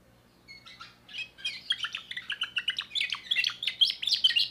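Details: Young timbrado canary from 2024 starting its song with a few hesitant chirps that quicken into a loud, fast, rattling series of high notes.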